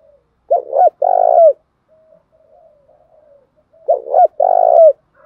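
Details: Male and female spotted doves cooing, played to stimulate other doves to coo: a short double coo followed by a longer drawn-out coo, repeated after about three seconds of near-silence.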